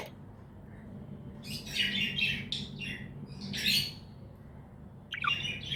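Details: Happy pet budgerigar chirping: a few short bursts of bright, scratchy chirps and warbles separated by quiet gaps, with a low steady hum underneath.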